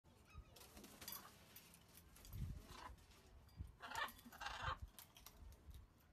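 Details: Wild blue-and-gold macaws come daily to eat food and drink water left out for them. Two harsh, raspy squawks sound close together near the end, over low thumping, rustling and handling noise.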